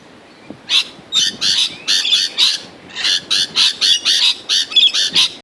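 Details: Quarrelsome lorikeets competing for grevillea nectar screech in a rapid run of about seventeen harsh, grating bursts. The calls come almost without pause, rough and buzzy, with a brief gap near the middle.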